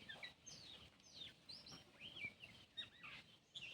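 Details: Oriental magpie-robin singing a new tune after seeing a cat move away; faint, varied whistled notes, some rising and some falling, in quick irregular bursts over soft rural background noise.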